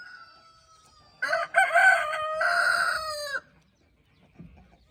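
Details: Rooster crowing among a flock of hens and roosters on an evening, the birds scratching in golden light; a loud, harsh, two-part crow about two seconds long, after the tail of a fainter drawn-out crow, then quiet.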